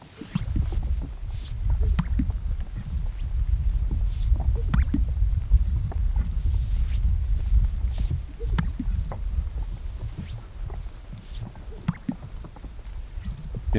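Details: Greater Sage-Grouse males on a Colorado lek on a snowy April morning display to visiting females with deep, bubbling pops and gurgles at an irregular, rapid pace, over a steady low rumble of wind.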